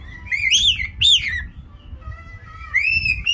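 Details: Pet caique making cute sounds: clear whistled notes, rising then falling, with bright harmonics, two quick upswept whistles followed by a softer low note and a final sustained whistle rising at the end.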